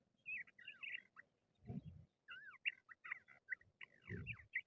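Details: Crested lark, a bird that people trap, giving clear whistled phrases of slurred notes that rise and fall, in quick bursts broken by short pauses, with low thumping handling noise between phrases.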